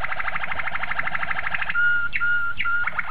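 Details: A Malinois Waterslager canary, as a training song master, runs a fast, rolling trill of rapid notes, then shifts to long, pure whistled tones broken by quick upward sweeps.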